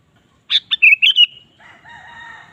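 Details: Sooty-headed bulbul lure song for stirring a kept bird to sing: a rapid bubbly phrase of five bright notes, followed by a long drawn crowing sound in the background.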